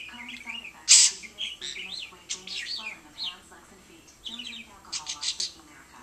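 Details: Caged pet budgerigar talking to a lamp, giving a fast, varied warble of squeaky chirps, slurred rising and falling whistles and speech-like buzzy phrases, with a loud sharp chip near the start.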